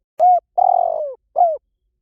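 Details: A spotted dove gives a three-part coo: a short hollow note, a long fluttering coo drifting lower in pitch, then a brief falling coo, mellow and clear with a silent background.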